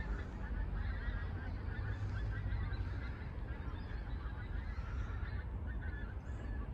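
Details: Dozens of pink-footed geese flying over a house in Barnton during Global Bird Weekend; a continuous chorus of overlapping honking calls from the flock, with steady low rumbling background noise.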